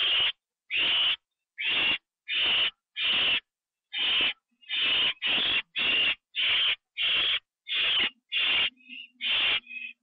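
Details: Owl at a nest where a bird was delivered as prey and eaten inside, 9 October 2011 at 9:54 PM; harsh, hissing screech bursts repeated about every half second, some clipped short, with faint softer notes near the end.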